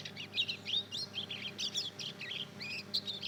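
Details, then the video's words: Mozken chick, a Mozambique canary crossed with a canary, two months old and learning to sing: a steady stream of high, scratchy twittered notes, several per second, with barely any pause. "Anakan burung mozken hasil silangan mozambik dan kenari baru ngeriwik belajar bunyi"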